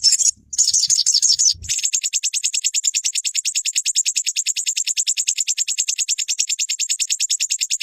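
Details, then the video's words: Olive-backed sunbird training song for caged birds: a fast, high, steady trill of sharp repeated notes, about 85 per minute, running unbroken after a brief louder buzzy opening. "Dalam hitungan menit burung sogonmu ikutan gacor dan ngeleper"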